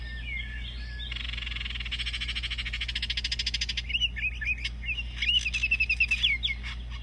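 Baltimore Oriole giving a dry, buzzy chatter for about three seconds, then a run of clear, fluty whistled notes. A low steady hum sits underneath.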